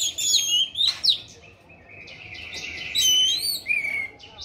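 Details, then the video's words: Orange-headed thrush singing persistently in gacor style, mixing sliding whistles, sharp high notes and longer warbled runs in a continuous, varied stream. "Anis merah gacor teler"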